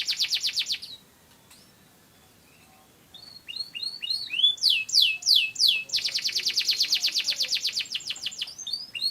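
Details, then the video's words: Canary of Indonesian domestic stock from wild Canary Islands ancestors singing strongly: a loud rapid trill, a pause, then quick rising and falling whistles building into a long, fast, even rolling trill. "Burung Kenari Gacor Juara Mantap"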